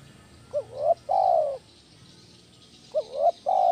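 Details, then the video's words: For luring and training other doves, a spotted dove calls in the 'kuk 1' style: a brief rising note, a wavering coo, then a long even coo, the phrase repeated once after a pause of about two seconds. "SUARA BESAR PANCINGAN TEKUKUR KUK 1 GACOR"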